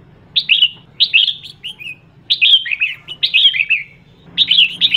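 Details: Female red-whiskered bulbul singing to provoke males, giving four loud clustered phrases of tumbling, slurred whistles, each about half a second long, separated by short pauses, with a low hum in the background.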